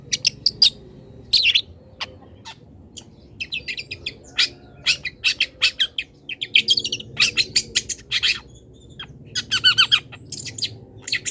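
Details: Long-tailed shrike in full song, its phrases packed with imitations of wild birds, recorded as a training master for cage birds. Dense, scratchy high chattering runs on almost without a break, mixing rasping bursts with thin whistled notes.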